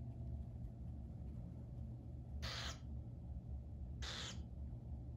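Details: Burrowing owl hatchlings, a pair kept at an aviary, give two loud rasping hisses about a second and a half apart against a constant low room hum.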